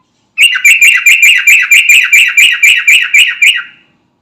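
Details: Loud, close sooty-headed bulbul of the garuda type, calling to companions: about fourteen sharp, ringing chirps in a rapid even series over three seconds, each note dipping in pitch, ending abruptly into silence.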